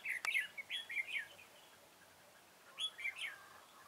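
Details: Red-whiskered bulbul sings while being trapped on 21 September 2017: a lively run of rolling whistled notes for over a second, a pause, then another short warbled phrase, with a sharp click near the start.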